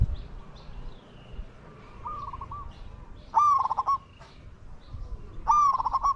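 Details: Spotted dove coos while luring wild doves to a decoy: a soft distant phrase, then two loud close phrases of a level note breaking into stuttered pulses, roughly two seconds apart, with faint other birdsong.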